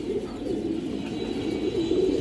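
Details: Loft of domestic pigeons for sale in Jatrabari, fancy breeds; deep, bubbling coos rise and fall continuously from many birds at once, a dense low chorus.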